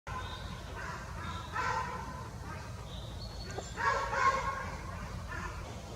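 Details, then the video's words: Young jay just out of the nest in a forest, giving harsh, nasal, harmonic calls in short bursts about every one to two seconds, two bursts louder near the middle, over a low steady background rumble. "Young jay bird in the forest"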